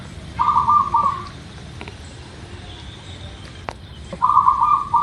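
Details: Local zebra dove used as a lure to prompt other birds to sing quickly: two low, beaded cooing phrases, each about a second long, separated by a pause, over steady background hiss and a faint high insect-like tone.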